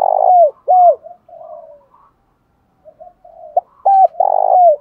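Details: Spotted dove fighting coo, used to provoke wild birds and train decoy birds: loud hollow coos with falling tails, a softer murmuring coo between, a pause, then another set of coos.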